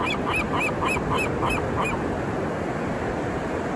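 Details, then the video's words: Seagulls on Black's Beach, La Jolla, San Diego, California, recorded 21 May 2023 at 3:05 PM on an iPhone SE 2: a quick run of about eight short arched squeals in two seconds, then stopping, over steady roar of crashing ocean waves. "Seagulls at Black’s Beach (4k, 60fps, 30 minutes of birds, water, relaxing sounds)"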